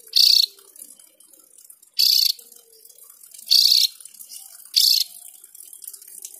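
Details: Javan grey-throated white-eye in full song, delivering a long rolling song: short, dense, buzzy high bursts about half a second long, repeated roughly every one and a half seconds over quiet background.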